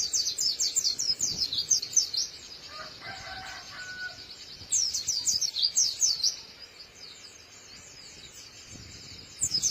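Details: White-eye singing crisply: high, fast twittering phrases of short warbled notes in two bursts separated by a quieter pause, over faint background noise.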